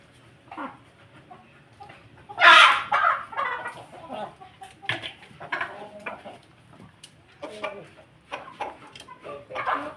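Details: Ayam Ketawa chicken kept with a family of Pelung Bangkok chickens; one loud harsh crowing burst early on, followed by scattered shorter clucks and calls from the flock.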